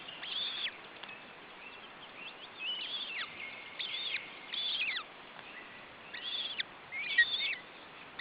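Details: In June 2012 a female osprey feeds three chicks while a run of about six piercing, whistled call bursts sounds, each a cluster of high notes dropping at the end, over constant hiss.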